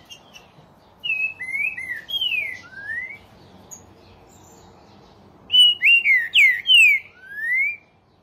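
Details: Song of a Brazilian Green-winged Saltator: two phrases of rich, clear whistles, each made of several slurred notes that fall and then rise. The second phrase is punchier, with four quick loud notes ending in a rising whistle. Little else is audible.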